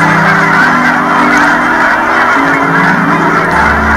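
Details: Winter migration of Canada geese in Colorado, a large gathering giving overlapping honks that blur into constant noisy chatter, accompanied by soft held background music tones.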